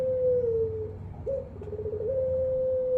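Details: Ringed turtle dove cooing: one long level note trails off, a short upward inflection follows, then another sustained steady coo begins, all over a steady low background rumble.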